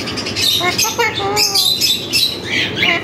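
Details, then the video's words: Tame talking parrot mimicking human phrases such as "Allah hoo" and "kon hay"; continuous harsh, speech-like babble with squawky vowel sounds and rapid shifting tones for three seconds. "full talking parrot"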